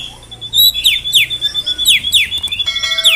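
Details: Drongo from Indonesia in full, vigorous song: a steady high whistled tone runs under sharp descending swoops repeated roughly every second, with brief metallic notes near the end.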